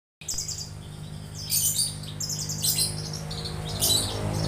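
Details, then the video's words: Young Javan bush lark singing: bursts of high, rapid chirping and trilled phrases, some buzzy and scratchy, coming in short clusters separated by brief pauses, over a steady low hum in the background. "branjangan Javanica muda || young Javanica bran || Burung kicau gacor"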